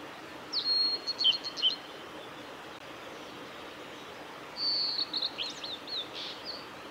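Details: A male blue-and-white flycatcher at Lake Miyagase's Kanazawa forest road, Japan, on 17 May 2020, sings two separate phrases: each is a high, sustained whistle ending in brief choppy notes, with a gap of about three seconds between them over faint hiss.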